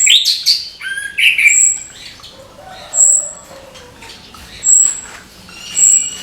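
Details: Orange-headed thrush, morning gemercik singing: a few loud warbled phrases at first, then sparse thin high whistles spaced a second or two apart over quiet background.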